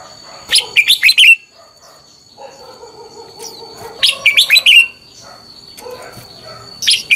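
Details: Red-whiskered bulbul fighting song used to train birds and spur morning singing: two lively phrases of fast warbled notes about three seconds apart, a brief start of a third at the end, with a faint low hum between.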